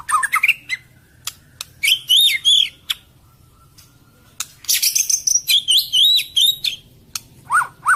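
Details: White-rumped shama with a harsh, rapid song: sharp clicks and high, buzzy, warbled phrases in two dense bursts separated by a quiet pause, ending with short falling whistles.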